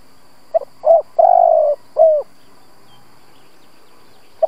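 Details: A decoy spotted dove coos to stir up wild doves: a quick soft note, a rounder hoot, a long low wavering coo and a falling final coo, followed by a pause and a faint new start.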